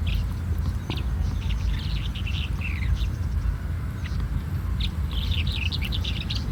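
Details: Red-headed bunting singing: short bright chirps and quick trilled phrases, first in a loose burst, then a denser run of notes near the end, over a steady low rumble of wind or distant traffic.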